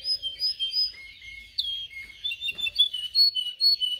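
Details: Canary singing, recorded for training young canaries: clear whistled notes in a slow series, then a burst of mixed chirps, then more piping whistles about every quarter second.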